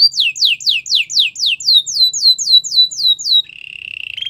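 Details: Belgian canary in training song: a rapid series of about fourteen high, downward-curving whistled notes, evenly repeated several times a second, ending in a low, smooth rolling trill.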